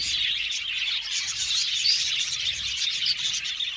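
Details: Short burst of aviary budgie colony noise: bright, crowded chirps and twitters overlapping, a few sharper whistled notes poking above the steady high chatter.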